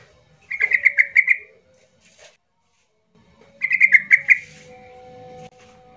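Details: Yellow-vented bulbul in an agitated song played to provoke silent bulbuls into singing: two bursts of rapid, bubbly, evenly spaced notes about three seconds apart, the second followed by a faint steady tone.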